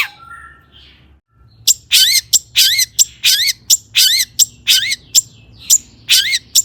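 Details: Long-tailed shrike song played as a lure to stir other shrikes into singing: soft whistles open, then a steady series of harsh, buzzy notes with rising sweeps, about two to three per second.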